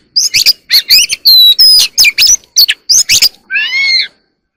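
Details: Oriental magpie-robin in early-morning song: rapid string of bright whistles and harsh chips, mostly high-pitched, ending in a longer wavering whistled phrase, no other sounds.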